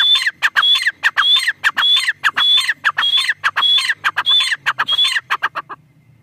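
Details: Female black francolin calling in quick succession, loud rasping notes each led by a short high whistle, roughly 100 per minute, fading out toward the end with a faint low hum beneath.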